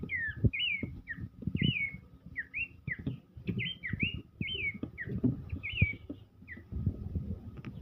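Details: Whistled, swooping phrases from an Abbott's babbler singing vigorously during a dance, delivered in quick bursts amid steady low rumbling and thudding sounds.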